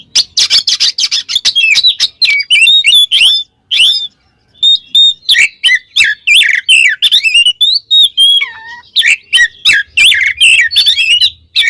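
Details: Kacer, the oriental magpie-robin, giving ngeplong-style song to call a rival: a dense run of rapid chirps and looping whistles, a short silence near four seconds, then more varied whistles including a slow descending note.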